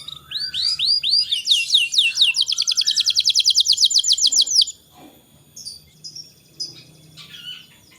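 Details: Canary tutor song for stimulating young canaries: upward-curved whistled notes, then a loud rapid rolling trill of repeated chirps for several seconds, followed by faint scattered twitters.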